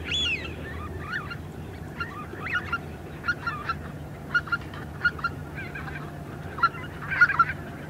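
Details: Small group of greater white-fronted geese calling in flight: faint, scattered high yelping notes, singly and in quick pairs, spaced over several seconds above a low steady rumble.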